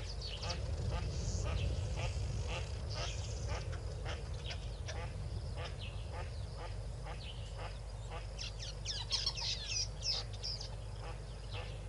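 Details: Yellow-billed duck and six ducklings at Tau Waterhole, 12 February 2022, 4 PM; a long series of short nasal quacks, several per second, with a flurry of high thin peeps near the end and low rumbling throughout.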